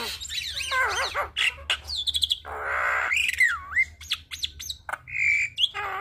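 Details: Singing Javan myna used as a tutor recording for starlings: wavering whistles, a rough churring stretch, then a long rolling whistle dipping and rising, with harsh squawks and clicks between.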